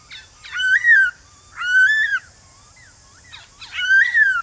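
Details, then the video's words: Male white-cheeked laughingthrush singing a forest-style morning song meant to make wild birds sing back; three loud, rich whistled phrases, each rising then falling, separated by short pauses. "Khướu Bạc Má Hót Giọng Rừng Kích Khướu Bổi Hót Lại Ngay/Tiếng Khướu Trống Gọi Bổi Buổi Sáng"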